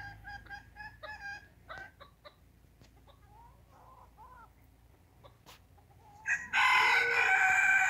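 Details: Rooster: a series of short clucking notes, then a loud rough crow starting near the end.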